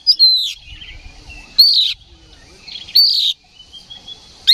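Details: Oriental magpie-robin in combative ngeplong song, a lure for rival birds: loud, downslurred whistled phrases about every one and a half seconds, with quiet warbling between them.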